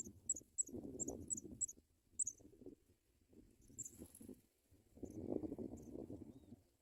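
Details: African pipit chicks in the nest being fed white butterflies by adult birds; thin, high, squeaky notes in a quick run, then scattered squeaks, with low rustling bursts from movement at the nest.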